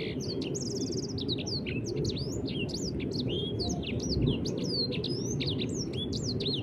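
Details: Ashy tailorbird singing: a fast stream of thin, high whistled notes, many sharply rising or falling slurs and short trills, tumbling over each other without pause above a steady low rumble of background noise.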